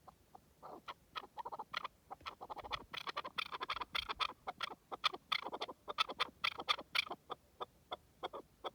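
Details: Wild partridge giving a dense, busy run of harsh, clucking notes, overlapping and chattering without pause for several seconds.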